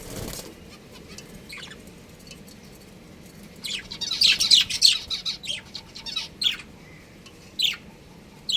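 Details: Pet budgerigars, a breeding pair, chattering in a burst of rapid, high, scratchy chirps that crowd together in the middle, with single sharp tweets before and after over a faint low hum.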